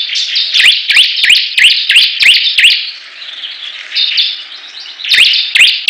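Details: Competing bar-winged prinias singing hard: a run of quick rising whip-like notes over continuous shrill chatter, then a brief lull of softer twitter and a steady whistled note before the upsweeps return.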